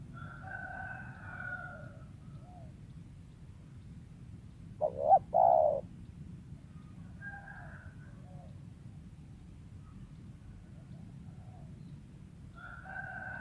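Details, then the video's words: Wild spotted dove giving a loud, low two-part coo midway, with quieter higher chattering and whistled notes from other birds before and after over steady background hiss. "TEKUKUR LIAR SUARA IDAMAN PEMIKAT"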